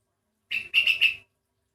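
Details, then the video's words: Sooty-headed bulbul, an individual whose voice sounds unusual and unlike typical birds of its kind, gives a short bright phrase: one clear whistled note, a brief gap, then three linked fluty notes at steady pitch, all quick and liquid. "kutilang ini bersuara aneh"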